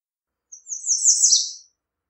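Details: American redstart singing one high, thin phrase of rapid slurred notes that rises slightly and ends in a downward drop, lasting about a second, with no other sounds.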